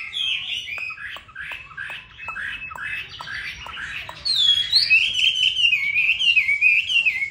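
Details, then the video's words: Chinese hwamei from Hanoi, Vietnam: a run of quick clipped notes with sharp clicks, then a louder rolling passage of rapid slurred whistles repeated in a steady chain. "Mi đẹp vn9966. Giọng hay"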